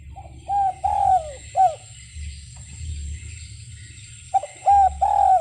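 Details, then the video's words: Repeated spotted dove call: short hollow coos leading into a longer downward-sliding coo, given twice with a pause of about two and a half seconds between phrases over low background rumble. "SUARA BURUNG DERKUKU"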